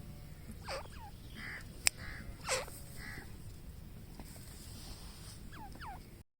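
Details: Grey francolin calling in the jungle: harsh, scratchy bursts and short downslurred notes, scattered unevenly over a few seconds, with steady low background hiss and a sharp click.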